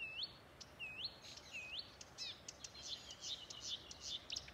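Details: Marsh warbler singing from bushes at Älvkröken on the Ljungan river, Njurunda, Sweden, 14 June 2021: three high rising whistles, then a quick varied run of sharp chips and scratchy trills. A fieldfare joins in with chattering.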